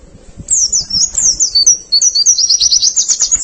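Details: White-eye song from a masteran recording for training birds: a rapid, high, twittering stream of thin sliding whistles and trills, loud after a quiet half-second start, with faint low rumbling beneath.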